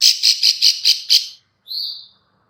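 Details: Female bar-winged prinia call, used as a lure to draw other birds in. Six rapid buzzy notes run together, then a short pause and one drawn-out thin whistle.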